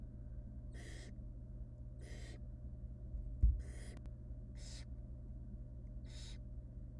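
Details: Wild barn owl nestlings in a monitored nest box hiss-screech for food while their mother feeds them small pieces of rabbit; broad rasping hisses about every 1.5 seconds over a steady low hum, with a thump midway.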